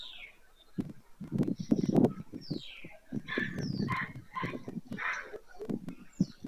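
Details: Husky, rough white stork calls at Madrigal de las Altas Torres, Spain, late July 2024, end of breeding season. Clicks are mixed in, and high, thin descending screeches from other birds overlap.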